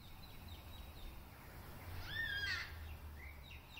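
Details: A black cockatoo calling from a tree across a road, possibly lost and calling for its mother, gives a drawn-out, wavering wail that bends up and then down, with fainter calls around it, over a steady low rumble.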